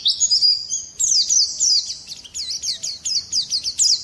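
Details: High, thin Oriental white-eye song: a sustained piping note, then a quick cascade of downslurred chirps and twittering whistles.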